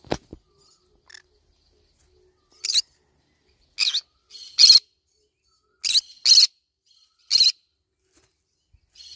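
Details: Green-cheeked conure feeding on banana leaves, producing a run of short harsh squawks and chirps, some paired, irregularly spaced about one each second, loud and raspy.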